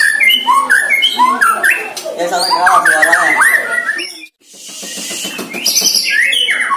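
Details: One-year-old captive white-rumped shama in its first training session against a neighbour's shama, singing rapid varied whistled phrases that slide and jump between pitches for about four seconds, then a cluttered stretch with voices and a brief pause.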